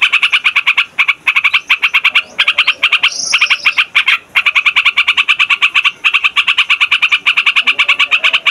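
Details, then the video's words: Lure song of a yellow-vented bulbul, loud and rolling, for pulling in wild birds and prompting young males and females to sing: long runs of quick chattering notes, broken by brief gaps and one higher slurred whistle. "TRUCUKAN RIBUT BUAT PIKAT, MASTERAN DAN PANCINGAN TRUCUKAN PAUD DAN OMBYOKAN"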